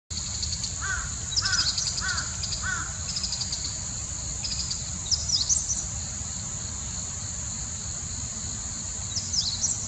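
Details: Meadow bunting (Emberiza cioides) singing on 14 October 2020: short, high, rapid twittering phrases recur every few seconds over a steady insect drone, with a few lower repeated call notes early on.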